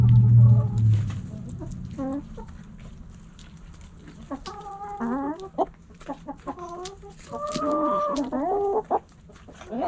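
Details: Backyard hens cluck in bursts of quick, stacked, slightly wavering notes. Several series come in the second half, some drawn into longer tones. A low rumble fills the background at the start.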